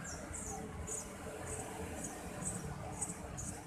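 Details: Eurasian tree sparrow chicks begging while a parent feeds them: thin, very high chirping bursts repeated roughly every half second over a steady low background hum.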